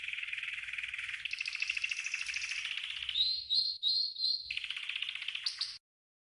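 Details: Green canary delivering a training song: a long rapid rattling trill shifting pitch midway, four short upslurred whistles, another buzzy roll and a few high sweeps.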